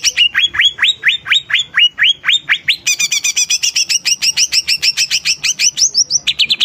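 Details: Loud, vigorous greater green leafbird song: a string of drooping whistled notes, then a switch to a fast, bright chattering sequence of high repeated notes ending in a few slurred whistles.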